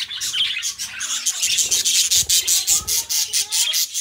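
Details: Pet budgerigar pair in song: unbroken rapid scratchy warble with high squeaks and a few short whistled slurs, lively and even throughout.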